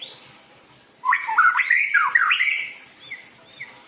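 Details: White-rumped shama song used as a lure for other birds: after a second of quiet, a rich burst of fast, varied whistles that swoop up and down, followed by a few softer notes.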